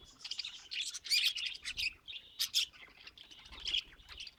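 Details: Cheerful budgie warble: rapid high squeaks, chirps and trills running on without pause, with brief louder sharp notes.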